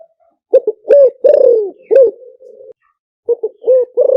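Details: Wild spotted dove call used to lure wild doves; a clear phrase of deep, rounded coos, the last drawn out and fading, followed by a pause and a fresh series of coos.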